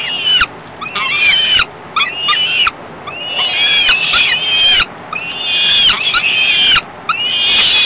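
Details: Several falcon chicks cry out as the female brings food a few hours after ringing: repeated bursts of rough, arched screeches, each about a second long, with short gaps and sharp ticking sounds.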